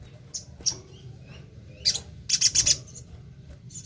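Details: Crimson sunbird (sogon) singing actively, used as a lure for other sogon birds; very high, thin sharp chirps, then a quick burst of four or five bright ticking notes near the end, over a low background rumble.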